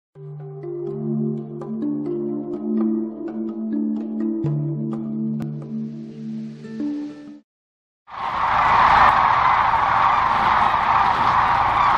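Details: Soft tonal music plays for about seven seconds, then after a brief silence a steady broad rushing noise like wind or traffic fills the rest.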